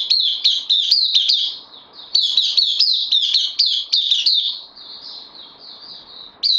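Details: Captive white-eye, a new arrival on loan, recorded 12 September 2020, singing fast runs of high, clipped chirps that trail into a softer thin warble before a final sharp note.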